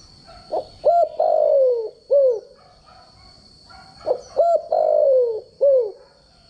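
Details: Spotted dove decoy call, a standard crowing voice used for daily voice training of doves: two phrases of low cooing, a short note, a doubled coo, then a long falling croo and a final short coo, over a steady high electronic whine.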